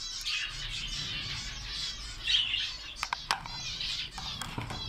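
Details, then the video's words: Budgerigar chick: thin, wavering high chirps and warbles run almost continuously, with a few sharp clicks and ticks near the end over a low background hum. "Budgerigar baby"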